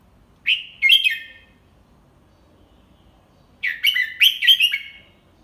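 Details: Red-whiskered bulbul teacher bird sings the double-three (เบิ้ล3) style slowly for young birds to learn. A short three-note phrase comes first, and after a pause of about two seconds a longer, bubbling run of about five notes follows.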